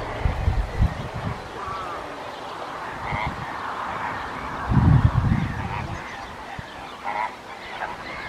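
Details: Glossy ibis uttering deep, rough grunts in two main bursts amid a steady background of distant higher-pitched bird calls.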